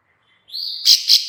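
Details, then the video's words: Plain prinia female calling: a thin, steady high whistle, then two loud rasping clicks. The clicking call is used as a lure to draw other birds into replying. "suara klik- klik betina/ciblek sawah"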